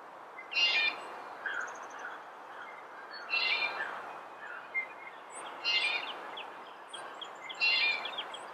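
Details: Red-bellied woodpecker giving loud harsh churring calls about every two to three seconds, with faint high chirps from other birds between them.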